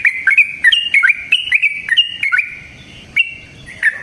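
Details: Yellow-vented bulbul song for luring other trucukan: rapid bubbling whistled notes in a tumbling run, easing to a quieter stretch before a last pair of phrases.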